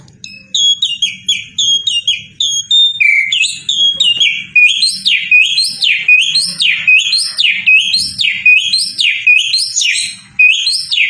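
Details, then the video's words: Asian pied starling singing actively, a fast run of clear whistled notes that rise and fall, repeated more than once a second, building in loudness, over a low steady hum. "BURUNG JALAK UREN GACOR MANGGUNG"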